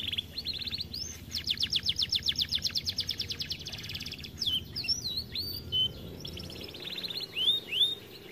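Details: Canary said to sing little because of being too fat: an extended fast trill of rapidly repeated notes, then mixed twittering and whistled slurs.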